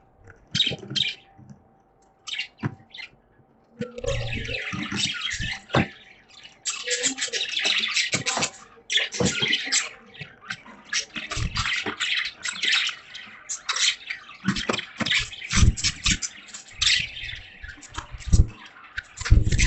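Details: Caged budgerigars chirp and chatter in busy, scratchy bursts over a steady wash of rain.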